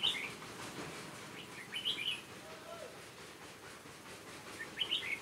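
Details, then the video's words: Decoy red-whiskered bulbul from Hòa Bình sings in a trap set for wild birds on 18 November 2017. Three brief bright warbling phrases, at the start, middle and end, rise above steady background noise. "Bẫy chào mào Hòa Bình bổi"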